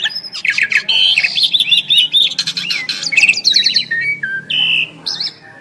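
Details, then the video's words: Two Asian pied starlings in duet, pouring out quick varied whistles, warbled wavering phrases and scratchy bursts, layered and continuous, with a soft background hum. "Jalak Suren Istimewa | Duet 2 Burung Juara"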